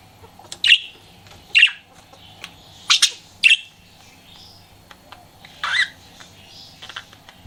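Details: Pet budgie flirting: short bright chirps in separate bursts about once a second, a few sharper squeaky notes, then a brief rising chirp near the end, with a faint steady hum underneath.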